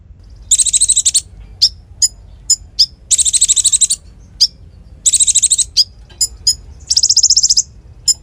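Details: Konin singing actively for use as a tutor song: dense, high, buzzy trills alternating with isolated sharp chip notes, in irregular bursts.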